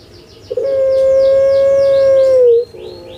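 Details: Captive puter pelung spotted dove with a big thundering voice gives a single long steady hollow note lasting about two seconds, dipping at the close, while small birds chirp faintly and repeatedly in the background.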